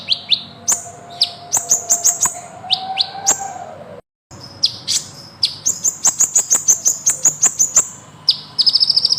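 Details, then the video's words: Van Hasselt's sunbird (kolibri ninja) in long ngeroll song: clusters of sharp high chirps and downslurred notes, a brief cut, then dense rapid tweets ending in a fast, bright, even trill. "Burung KOLIBRI NINJA Gacor Ngeroll panjang"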